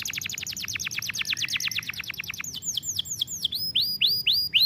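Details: Canary song meant for training: a long rapid roll of high chirped notes, then slower curving whistled syllables repeated in a lively rhythm.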